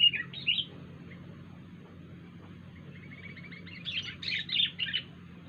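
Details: Wild sooty-headed bulbul making an odd sound: two loud slurred notes open, then a quiet stretch with soft rapid ticking, ending in a bright cluster of bubbly chirps, against a low hum.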